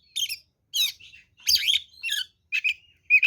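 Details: Oriental magpie-robin fighting song, a quick series of harsh, buzzy and whistled bursts, each lasting a fraction of a second, separated by brief silences.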